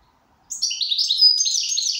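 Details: Goldfinch in good condition, likely caged, delivering a continuous rapid twittering song of high, liquid, jangling notes with buzzy trills, starting abruptly after a brief silence.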